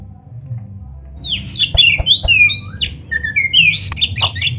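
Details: Black-breasted Oriental magpie-robin (kacer), played as a training and prompting recording for caged birds. After a quiet second, it breaks into loud, varied whistled phrases with sweeping, rising and falling notes and harsh chatter, delivered in a dense, continuous run.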